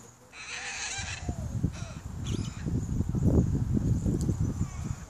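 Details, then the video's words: Galah defending its nest from a rival galah in Adelaide, Australia: a short harsh, grating screech followed by a fainter second squawk, then mostly loud low rumbling and handling noise. "galah bird protecting nest"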